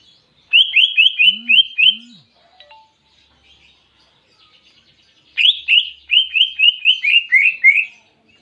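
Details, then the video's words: Greater green leafbird with canary imitation in its song, two bursts of rapidly repeated rising whistled notes, about six per burst, separated by a quiet gap. "Masteran Cucak Ijo Isian Kenari Jernih"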